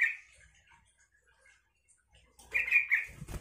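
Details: Yellow-vented bulbul singing to provoke other bulbuls into replying: a brief bubbly warble at the start, a quiet stretch, then a louder chattering phrase with soft fluttering and thumping noises near the end.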